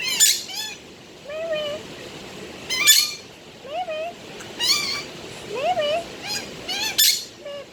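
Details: Budgerigar talking and singing: dense, rapid chatter of harmonic, nasal, wavering notes mixed with crackling bursts every second or so, continuing throughout in lively uneven phrases.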